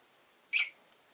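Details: Pet rosy-faced lovebird, one of five caged by a window, orange-faced and green: a single brief, harsh, high squawk over quiet background.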